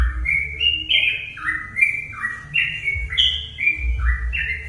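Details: Sooty-headed bulbul song serving as a lure to provoke other bulbuls into singing: clear whistled notes alternating higher and lower in quick succession, continuous phrasing, with a low rumbling undertone.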